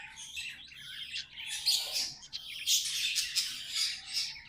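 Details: Several pet budgies chattering in a continuous scratchy warble, dense buzzy high notes with brief squeaky peaks, growing louder after the second second, over a faint low hum indoors.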